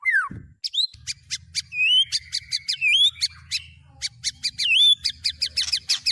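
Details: Murai batu, the white-rumped shama, singing mimicked fill-ins of speed cililin, canary and lovebird: a descending whistle, then high wavy slurs interleaved with sharp harsh bursts, quickening toward the end.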